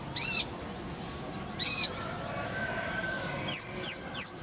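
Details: Van Hasselt's sunbird tutor song: two longer, slightly descending high squeaky notes spaced well apart, then a quick burst of three sharp high chips at the end.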